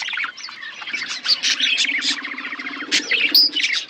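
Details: Caged budgerigars in an aviary amid a forest chirp and warble, with a fast rattling run of clicky notes in the middle and sharp bright chirps on top.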